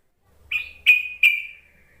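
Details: Call of a yellow-vented bulbul for prompting reluctant bulbuls to answer: three quick, sharp buzzy notes in a row, each trailing off slightly lower.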